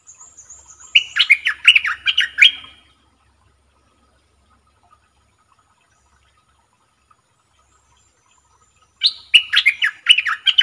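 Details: Red-whiskered bulbul kept in a cage as a decoy sings two lively phrases of rapid, bubbling whistled notes about eight seconds apart, with silence between. A faint high thin tone is heard at the start.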